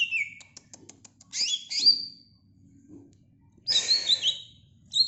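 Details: Greater green leafbird uttering a descending whistle, a string of soft ticks, then loud harsh sliding notes and squeaky chatter.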